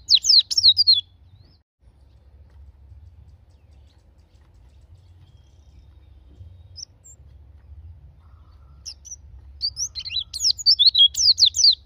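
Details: White-eye song meant to prompt caged birds to sing: a brief burst of high, rapid twittering at the start, a long near-silent pause with low hum, then another quick run of thin chirping notes.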